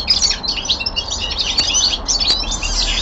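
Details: Brief burst of young male common linnet song indoors: bright twittering chirps and short warbled phrases in quick succession, with a light low rumble in the background.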